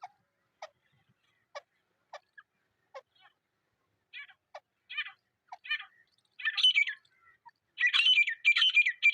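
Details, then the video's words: Wild partridge (teetar) in a jungle, recorded in its natural setting: a few sharp isolated clicks, then harsh, grating bursts that grow longer and louder and repeat rapidly toward the end. "Jungle Mein Teetar Ki Asli Awaz | Natural Partridge Sound"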